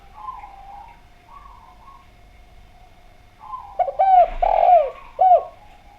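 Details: A spotted dove sings a clear, lively song. Soft murmuring notes lead into several loud, ringing coos, each bending downward. A steady faint tone hums in the background.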